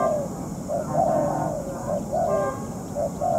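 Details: Spotted dove acting as a trapping decoy while in moult; several short, low, breathy coos in quick succession, a couple drawn out and falling, with a faint lower hum behind.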